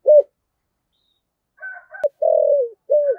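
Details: Spotted dove cooing, a recording used to lure wild doves: a short low coo, a pause, then a longer, steady, mellow coo and another brief coo. Faint higher chirps from other birds are heard in the middle.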